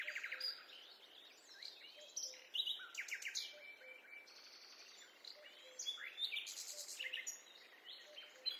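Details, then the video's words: Forest birds heard on a peaceful walk: several species sing together in dense, overlapping high chirps, trills and quick rattling phrases, with faint low short notes repeating in the background throughout. "A peaceful walk in the forest accompanied by the sound of birds"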